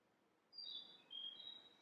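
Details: Narcissus flycatcher singing unseen in a forest at Miho Citizens' Forest, Japan, a summer visitor: a short phrase of clear, high whistled notes, a falling slur then two steady tones, over quiet background hiss.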